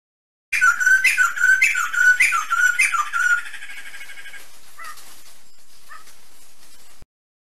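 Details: Sumatran laughingthrush, a black-and-white bird endemic to highland forest on Sumatra, giving loud harsh squawking notes with whistled rising tones repeated about twice a second for three seconds, followed by quiet hiss and two brief soft notes.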